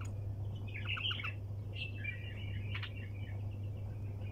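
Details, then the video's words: Bulbul giving nonstop 'tak janah' (wing-flick) calls in the 'sayyad' (hunter) style: short chattering chirps and a bright warbled phrase, then a rougher burst near the end, over a steady low electrical hum. "طك جناح بلبل طور صياد بدون توقف"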